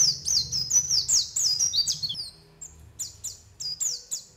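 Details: A white-eye (pleci) gives calls used to lure other white-eyes, with rapid, high, thin chirps and twittering phrases, sweeping and slurred, in quick bursts with short pauses; faint low background noise.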